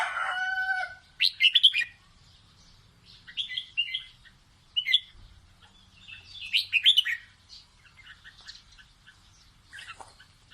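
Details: Red-whiskered bulbul singing playfully to teach its chicks: short bright warbled phrases at about four-second spacing, after an opening lower harsh note, with quiet gaps between bursts.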